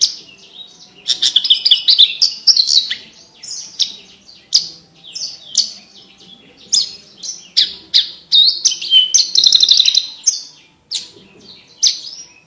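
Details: Horsfield's bush lark in extended, varied song for training competition birds: high chirps, slurred whistles and brief rattling trills delivered in quick clusters with short gaps.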